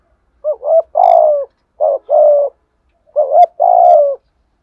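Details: A spotted dove in the thổ sấm voice style coos to urge wild doves to answer. It gives clear, low cooing phrases: two short hoots, then a longer drawn-out coo, repeated twice with brief silences.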